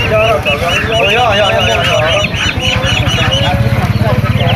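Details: Duckling peeps at an animal market: shrill, arched chirps repeated rapidly in a continuous stream, with wavering mid-pitched calls beneath and a loud throbbing engine-like rumble throughout.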